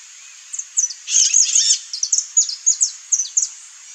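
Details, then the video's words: Wild saffron finch singing free in nature: a string of sharp, very high chirps and short buzzy trills, with a brief denser burst near the start, then separate bright notes spaced about a quarter second apart; quiet background. "CANTO do CANÁRIO-DA-TERRA (SICALIS FLAVEOLA), SAFFRON FINCH"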